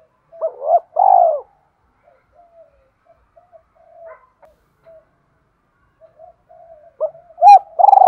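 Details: Spotted dove used as a decoy, singing to provoke a wild rival: a short cooing phrase, then quiet soft murmurs, then the next phrase starting, low pitched and clean.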